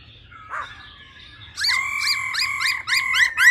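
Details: Female laughingthrush giving a quick 'ro ro' call used to rouse males: a brief note, then a fast run of bright, slurred whistled notes repeated about four times per second, quiet background.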